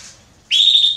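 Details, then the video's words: Belgian canary female soliciting mating, a single loud, high chirp that snaps upward and holds a steady tone. "Canário Belga Fêmea Pedindo Gala"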